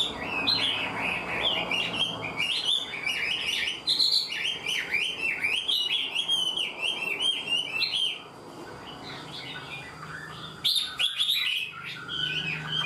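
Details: Chinese hwamei, a wild-caught bird that sings readily, giving a full structured song like a tame bird: rapid, rich warbling of slurred whistled phrases, continuous for about eight seconds, then quieter, with a brief loud burst near eleven seconds; faint low background hum.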